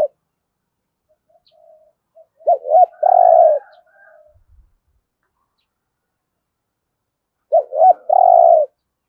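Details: Spotted dove giving 'thúc gù' cooing in the 'thổ rền' voice style: two phrases about five seconds apart, each a short clipped note, a hooked coo, then a long rolling, resonant coo, with faint softer notes between.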